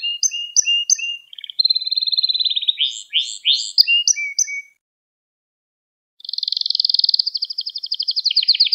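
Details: Canary song with mixed high chirps and rolling trills, a quiet pause of over a second, then a long, rapid, steady trill resuming.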